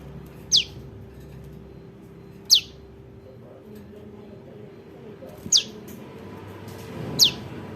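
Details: ['Juvenile prinia, calls used to attract birds for trapping: four crisp, high descending chips at irregular gaps of one and a half to three seconds, over a quiet hum.']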